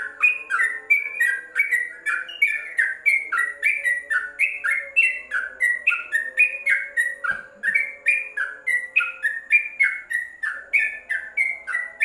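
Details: Yellow-vented bulbul caged beneath a cover, recorded for teaching other birds: rapid, lively chirping notes at roughly three or more a second, a single sharp click midway, low hum underneath.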